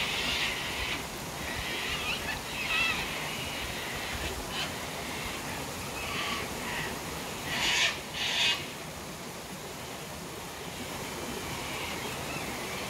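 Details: Scattered rough cockatoo squawks, with a louder pair near the end, from birds on their daily sunset drink at Tanninaba Falls, Springbrook, 19 May 2024. Waterfall hiss runs steadily underneath.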